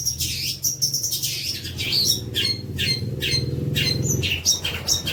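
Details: High scratchy chatter and squeaky notes from a long-tailed shrike, song for training young birds, come in quick irregular bursts over a steady low hum in the background.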